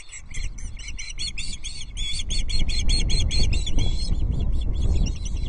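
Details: Osprey chicks at a Loch Arkaig nest during a fish feed, 14 June 2024, while one dominant chick bullies a sibling; continuous fast, high chirping notes in a steady stream over strong wind noise.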